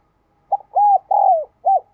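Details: Spotted dove giving a single phrase of four mellow coos: a brief opening note, a sustained arched coo, a longer coo sliding downward, then a short closing note.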